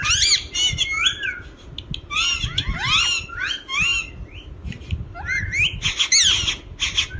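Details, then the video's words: Talking green ringneck parrot giving busy, scratchy squawks and twisting high notes in irregular clusters, with a few quieter gaps between the louder bursts. "talking parrot"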